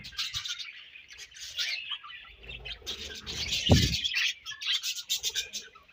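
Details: A group of budgies feeding and exchanging food; busy high chirping runs throughout, broken by a loud low thud near the middle and frequent rustling.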